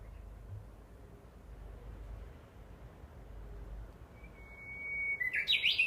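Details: Japanese bush warbler singing on 12 July 2014 in woods by an imperial tomb behind a house: after a quiet, hissing background, a long steady whistle rises into a quick, bright flourish at the end.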